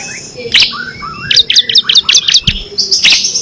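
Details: Kristal bar-winged prinia singing with six variations for training competition birds: a few lower slurred whistles followed by a rapid series of high, clipped chirps and a final burst.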